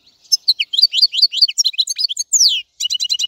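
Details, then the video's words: A dense stream of goldfinch song: varied liquid twitters, upward and downward slurs, and a closing run of quick ringing repeated notes. "تغريد طائر الحسون | فيديو رائع لتغريد الحسون"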